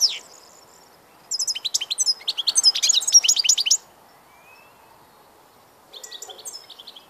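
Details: European goldfinch giving a burst of rapid tinkling, twittery song lasting about two seconds, then quiet with a faint whistle, and a softer twitter near the end.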